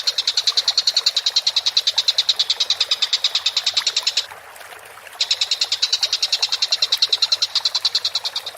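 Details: Collared kingfisher in a bird-training recording giving rapid, harsh, grating notes, about three each second, in a steady series broken by a silent gap of roughly a second midway before resuming.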